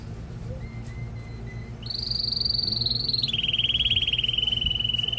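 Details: Male canary singing to excite a female and teach chicks: a soft whistled note, then a loud, sustained rapid trill that holds high before dropping to a lower, steady rolling trill.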